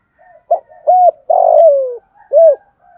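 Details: Spotted dove giving a thúc gù coo in a deep, earthy voice: a run of low hooted notes, with short rounded coos, one longer drawn-out note sliding downward, then a final rounded coo.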